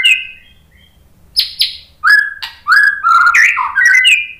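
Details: White-rumped shama lure song to provoke replies: a soft opening whistle, two sharp high notes, then a lively sequence of clear fluted whistles jumping between lower and higher pitches.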